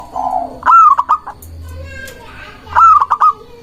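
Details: Local Indonesian zebra dove in full song, used as a lure to draw rival doves into answering. A fainter coo opens, then two loud phrases follow, each a rising hoarse note with three clipped, bouncing notes, about two seconds apart.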